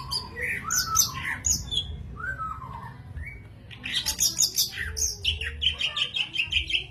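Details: Greater green leafbird in jamtrok song: varied high whistles and squeaky slurred phrases with a short pause midway, followed by a rush of busy chattering notes and sustained bright tones.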